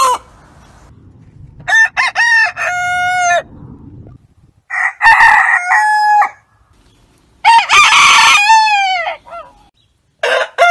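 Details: Several rooster crows in succession, each a loud stepped cock-a-doodle-doo with a sustained final note, separated by quieter stretches with low background noise, the last crow beginning at the very end.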